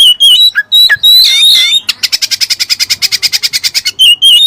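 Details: Oriental magpie-robin (kacer) song filled with Cililin material: bright high whistles and squeaky slurred notes, then a fast, even, high-pitched rattling trill of about twenty pulses, ending with more clear whistled notes.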